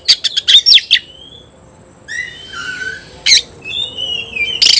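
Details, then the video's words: Oriental magpie-robin facing a rival: a rapid volley of harsh clicks and squeaks, then softer descending whistles and a final loud raspy burst. "kacer gacor ngobra KONSLET nembak lawan tarung"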